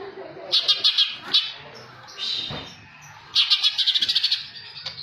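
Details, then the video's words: Greater green leafbird in jamtrok style with tengkek filler: short clusters of sharp, high chips, then a long fast stuttering trill of evenly spaced pulses, with softer chatter between. "cucak hijau jamtrok isian tengkek"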